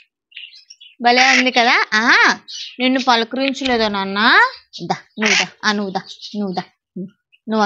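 A macaw talks in a run of harsh, speech-like syllables with sliding rises and falls in pitch, in short bursts over several seconds indoors.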